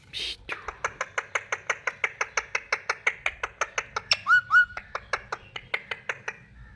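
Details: Pet rose-ringed parakeet, a talking ringneck parrot, affectionate and cuddling indoors: a fast, even run of harsh, nasal notes about four per second, broken near the end by two short clear whistled notes, then the chatter resumes and fades.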